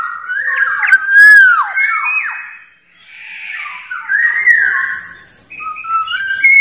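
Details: Wild black-naped oriole's rival-calling song: a rolling sequence of liquid whistles with looping down-slurs, a brief lull, then more wavering and rising fluty notes.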